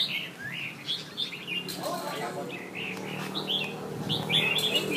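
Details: Competing Red-whiskered bulbuls from Nha Trang, Vietnam, two birds matched against each other: quick, lively whistled notes in rapid succession, overlapping with men talking in the background.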